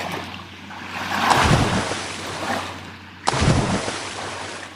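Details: Rushing, surf-like noise swells and fades, with a sudden loud burst near the end and no animal voice.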